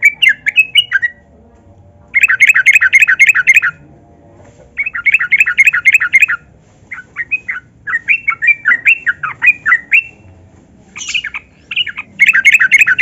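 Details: Lively yellow-vented bulbul song used as a lure for captive bulbuls that are lazy to sing: long fast rolling bursts of repeated warbled notes, separated by short pauses and mixed chattering phrases.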